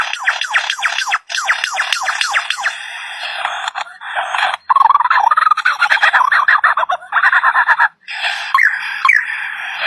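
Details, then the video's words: A bird able to make many strange sounds delivers a fast series of repeated, sliding notes, then a dense, chattering warble of mixed tones, ending with scattered, rising whistled notes. "Burung suara aneh"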